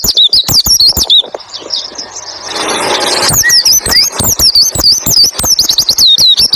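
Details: White-eye tutor song in the roll tembak ngalas style: rapid high whistled slurs and chips open the recording, are interrupted by a loud mechanical noise in the middle, then resume as a steady fast warble.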